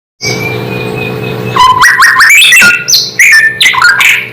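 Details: White-rumped shama song meant to provoke other shamas: after a steady high whistle, loud varied phrases of rising whistles, sliding notes and sharp chips follow in quick succession.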